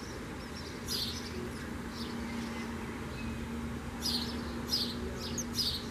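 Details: Common swifts giving shrill, high, buzzy screams in brief bursts, one near the start and a tight cluster of several later on, heard over a steady low droning hum like distant traffic or machinery.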